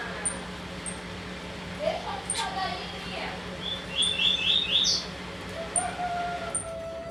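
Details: Pair of saffron finches giving a burst of bright, rapid chirping notes midway through, with fainter chirps earlier. A high thin tone repeats through the recording, and speech murmurs in the background.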